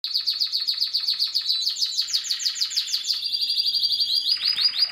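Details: Spanish Timbrado canary singing: a fast train of high, rolling trill notes at a steady pulse, switching after a few seconds into a tighter metallic roll and then a denser buzzy trill, loud and clean with no other sounds.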